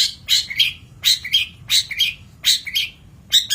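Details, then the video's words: Long-tailed shrike song from a master recording for training birds: paired phrases of a harsh buzzy note followed by a clear slurred whistle, repeated roughly every 0.7 seconds. "Masteran Cendet / Kicau Cendet"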